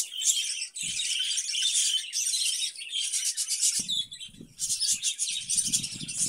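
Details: Caged budgerigars chatter in high, continuous twittering with buzzy elements, while low thumps and rustling sound in the background during the second half.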